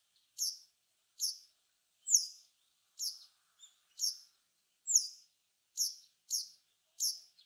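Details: Japanese Wagtail, a Japanese bird of fields and waterside, giving sharp, high, slurred chirps about one every three-quarters of a second in a quiet, clean setting.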